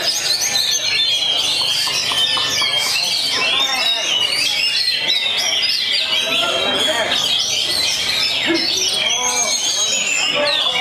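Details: Oriental magpie-robin, a contest bird said to win every week, pours out a dense, varied song of high whistles, quick trills and sliding notes without pause, over a steady murmur of human voices.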